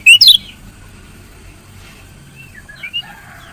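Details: Female lemon-bellied white-eye calling to spur a male into song: a brief loud cluster of sharp, high falling chirps at the start, then a couple of faint softer notes later over low background hum.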